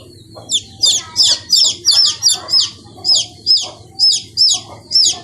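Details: Young chickens giving loud, clear, high peeps, each a quick falling chirp, spaced fairly evenly around three per second, with faint background murmur.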